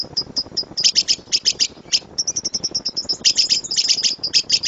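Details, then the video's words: Lovebird giving sharp 'tembakan' calls, recorded as a master for training birds: piercing single chips and short clustered bursts, uneven in spacing, all high-pitched and shrill. "LOVEBIRD SUARA GEMURUH TEMBAKAN BURUNG LOVEBIRD"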